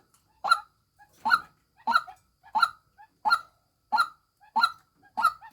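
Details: Female white-breasted waterhen calling with eight rough, honking croaks in steady series, each note short with faint softer notes between, no other noise.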